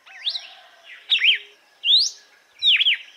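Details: Red-cowled cardinal (Paroaria dominicana) singing its 'açoite' (whip) song type: loud, clear whistled phrases with sharp rising and falling slurs, about one phrase every three-quarters of a second, with nothing else heard.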